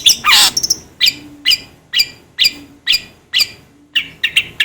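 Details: Long-tailed shrike singing for cage-bird training: one harsh rasping burst, then crisp high chips repeated roughly once a second, ending in a quicker triple flourish. A faint low hum sits in the background.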